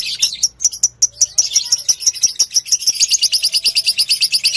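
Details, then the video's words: Fighter-type lovebird singing as a lure to set off another lovebird: quick, separate high chirps that speed up into a continuous shrill chattering run. "LOVE BIRD MU DIJAMIN NYAUT!!! DENGAN PANCINGAN LOVE BIRD FIGHTER INI."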